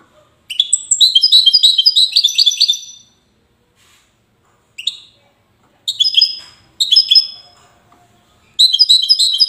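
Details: European goldfinch in Safi, Morocco, singing Widani style: one long twittering phrase of rising chirps, a pause, then short broken bursts and another bright twittering phrase near the end.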